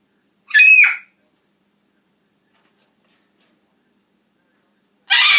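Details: Two piercing, shrill screams from a talking macaw, one short and sharp, then a long silence before a second harsh, noisy burst. A woman then tells the bird to stop yelling.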